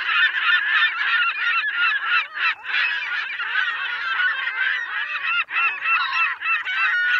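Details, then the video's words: A dense chorus of many gulls gives harsh, overlapping squawks and wailing cries, almost without a pause, with many birds calling at once. "Sirályok vijjognak. Sirály hangok."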